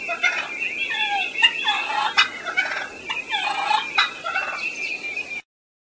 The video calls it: Turkey Cluck And Purr